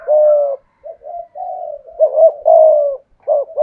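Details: Decoy spotted dove singing in the 'giọng thổ' style: a long steady coo, then softer short notes, then a double coo and a drawn-out final note, all low and mellow, with another sound faintly audible.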